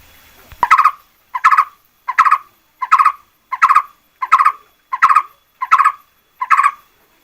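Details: A brief click opens this red-whiskered bulbul lure song from 2024, followed by nine evenly spaced warbled phrases, each a tight cluster of quick, cheerful notes.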